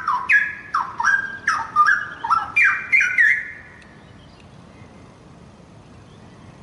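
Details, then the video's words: Young wild-origin straw-headed bulbul gives a rapid series of about eight loud, melodious whistled notes, each swooping down and overlapping in a bubbling cascade, then falls silent for the last few seconds. "Syahdu Cucak Rowo Muda Hutan"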